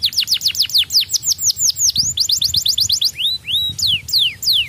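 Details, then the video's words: Young canary: a fast series of clear downslurred notes, then a rapid rolling trill, closing with slower upswept and falling whistles. "merangsang bunyi kenari muda"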